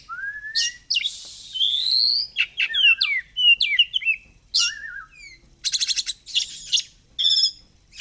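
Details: Oriental magpie-robin (kacer) singing fighter-style 'gacor' while fluffing ('ngobra'): a rising whistle opens a dense stream of chirps, slurs and rattling trills, loud and continuous.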